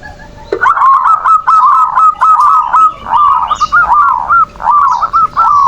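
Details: Manggung song of a zebra dove (perkutut), used to bait rivals and prompt lazy birds to sing. Loud, continuous string of rolling, wavering coo phrases, each a rising and falling purr, repeated without pause, with faint higher chirps behind.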